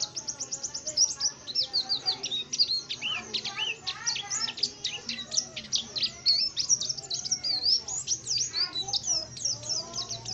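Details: A tame oriental white-eye in full, active song, delivering a nonstop stream of sharp, very high twittering notes. Quick rising and falling chirps are packed closely across the whole stretch.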